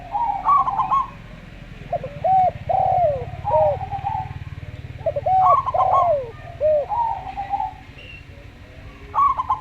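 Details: Local zebra dove with a slow song, heard together with a Javan derkuku dove: quick stuttered, rolling coo phrases, repeated in bursts, mixed with deeper looping arched coos from the other dove and a steady low hum behind.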